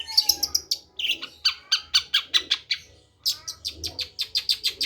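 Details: Rapid long-tailed shrike song: strings of harsh, buzzy, evenly spaced notes, about four to five per second, in two long runs separated by a short pause, over a faint low hum.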